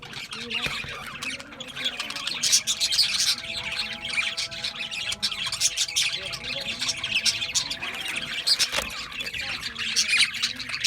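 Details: Australian budgies chirping as a flock: dense, continuous high twittering chatter with squawky notes throughout, over a faint steady low hum.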